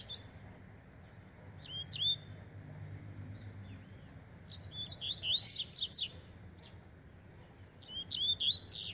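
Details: Warming-up double-collared seedeater, fast and strong: scattered thin high chips, then a dense burst of rapid twittering notes around five to six seconds and another quick phrase near the end, over a quiet background.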